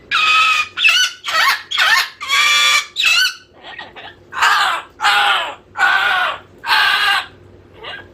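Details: Bored pet cockatoo screeching over and over, about ten harsh, raspy screams in a steady run, one roughly every three-quarters of a second, with no other sounds.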